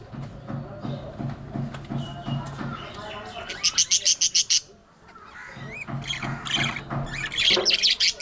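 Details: Several pet budgies in a home flock, playing and squabbling. Low murmuring comes first, then a fast run of sharp rasping pulses, followed by slurred rising whistles and busy warbling.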